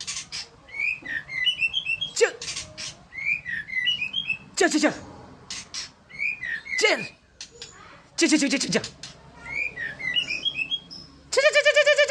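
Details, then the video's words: White-rumped shama from Sumatra singing: varied whistled phrases of rising and falling notes, broken by loud sharp clicks and sweeping noisy bursts, with a buzzy harmonic burst at the end. "murai batu"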